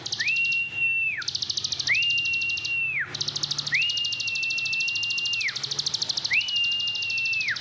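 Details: Indonesian plain prinia, ciblek sawah, in continuous ngebren song: a rapid, high, rattling buzz of even pulses. Four drawn-out level whistles, each sliding up at the start and down at the close, alternate with it.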